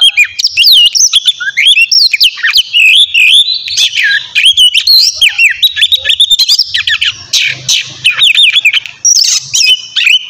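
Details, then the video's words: Captive white-rumped shama in full morning song used to coax birds into singing: a long unbroken torrent of warbled whistles, quick trills and mimic-like chirps, faint low rumble beneath. "terapi pagi cocok buat mancing kacer agar cepat gacor dan bukor"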